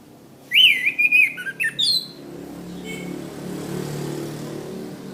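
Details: Master recording of an orange-headed thrush, for teaching cage birds: a quick burst of wavering whistles and high slurred notes lasting under two seconds, followed by a steady low hum like a passing vehicle.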